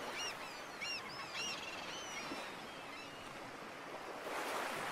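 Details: Black-headed gull calling: several harsh, arched, nasal calls in quick succession early on, then quieter, over a steady wash of surf and wind.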